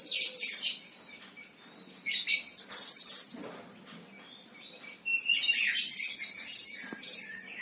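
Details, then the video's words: Oriental white-eye, a song tutor bird from Sragen, Central Java, Indonesia, gives three bursts of piercing, high, rapid twittering, the last one longest, separated by quiet gaps with faint tapping. "Masteran Gacor Mantenan Himalaya"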